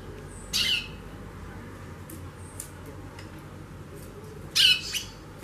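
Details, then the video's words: Female White-bellied Seedeater chattering a lot: two loud, harsh, buzzy bursts about four seconds apart, with faint high notes between them against a low background hum. "FÊMEA DE CHORÃO XAXANDO MUITO"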